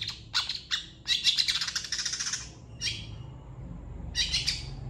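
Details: Long-tailed shrike master song for training birds: a few sharp harsh notes open into a one-second scratchy rattle, then isolated squawks separated by short silences, over faint low hum.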